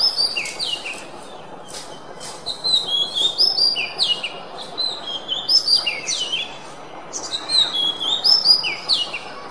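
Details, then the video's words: Oriental magpie-robin (kacer) song used as a training recording for songbirds: clear whistled notes and sliding phrases between about 2 and 8k, varied and repeated in short bursts, with faint background hiss. "Masteran Suara Kacer"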